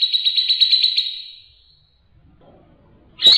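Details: Grey-cheeked bulbul giving a clear rattling ngebren trill for training other birds: a short run of fast even pulses fading away, near silence, then a sharp note at the end.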